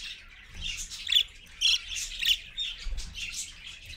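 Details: Parakeet parent with babies at 6:20 AM on 4.1.15, captured on a live camera stream; harsh, scratchy squawks and chirps come in irregular bursts, with a few louder sharp notes near the middle and a low background rumble.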